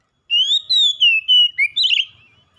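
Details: Oriental magpie-robin, described as a reluctant singer drawn into continuous song, gives one loud run of clear rising and falling whistles ending in a quick twittering flourish.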